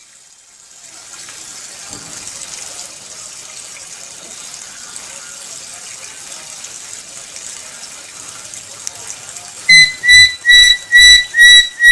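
Steady rushing, water-like hiss for ten seconds, then a burst of loud, evenly spaced electronic-sounding beeps, about three per second.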